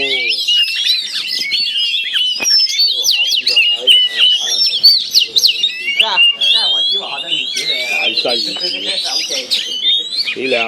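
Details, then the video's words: Caged oriental magpie-robin facing an aggressive rival in an adjoining cage, as kept for bird fighting, pours out a fast, unbroken stream of varied whistles, trills and harsh chatters, with faint voices underneath. "chọi chòe than"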